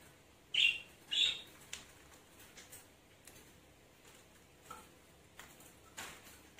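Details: Pet lovebird being lured back to its cage gives two loud, shrill, high chirps about half a second apart near the start, followed by faint clicks and rustles in a quiet room.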